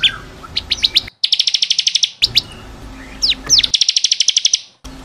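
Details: Bar-winged prinia song recorded to train caged birds: quick slurred notes running into fast, ringing trills of repeated high chirps, two long bursts split by short pauses.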